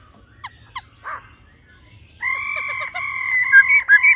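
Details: Female laughingthrush calling 'ro ro' to quickly stimulate a male: faint scattered short notes at first, then a loud continuous droning tone with small flicks and brief breaks; low hum beneath.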